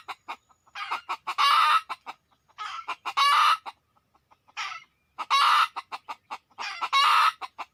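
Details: Red junglefowl coming to a decoy, many within two minutes: clusters of rapid clucks building into loud rasping cackles, four such bouts with short quiet gaps between.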